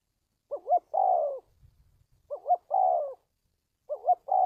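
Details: Spotted dove cooing, used as a lure for trapping and for training decoy birds. The repeated phrase is a warbling double note and then a steady drawn-out coo that falls slightly, given three times with short pauses.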